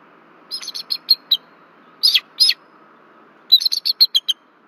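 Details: Warning calls of bald eagles at the Berry College nest in Rome, Georgia, 1 February 2024, as an intruder passes over: a run of high chittering peeps, two harsh squeals, then another rapid descending series.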